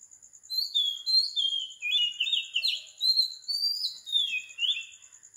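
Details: Early-morning song of an Oriental magpie-robin in Sri Lanka, recorded at 4 am: melodious whistled phrases that rise and fall in quick succession, some slurred and warbling, with a faint steady high hum behind.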